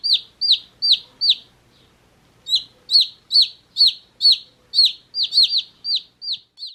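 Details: Chirping from one-day-old chicks: sharp, high peeps that slide downward, a quick burst, a brief silence around two seconds, then a longer, faster series of repeated cheeps.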